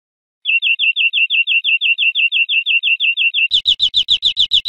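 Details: European greenfinch song from a teaching recording of wild bird song for cage birds: a steady run of about twenty identical high chirps, then a faster, harsher, broader series of notes.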